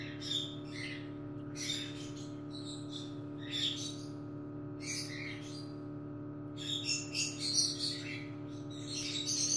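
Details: Cockatiel chick hatching and stuck in its egg at the nest: irregular, scratchy chirps and rasps come in bursts, denser toward the end, with a continuous low hum throughout.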